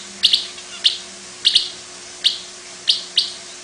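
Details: Long-tailed paradise whydah, a small long-tailed bird kept as a master song bird, giving its distinctive chattering call: short sharp high chirps, mostly in pairs, spaced irregularly about every half second, over a faint steady hum.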